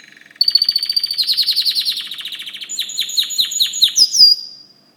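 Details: White canary song: a rapid, pulsing trill that grows louder, then a series of sharp, bright downslurred notes and high sweeping whistles before it fades out.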